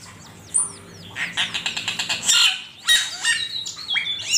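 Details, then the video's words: Master-training recording of an Asian pied starling singing: thin descending whistles open, then a rapid pulsed rattle of clicks, a harsh burst, and sliding whistled notes near the end. "Suara burung cucak keling masteran jitu 100% camperling"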